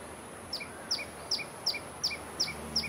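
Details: In Singapore, right after an afternoon rain shower, a common tailorbird sings a sharp, repeated two-note phrase, a high chip dropping to a lower note, about every 0.4 seconds, over a faint steady high hiss.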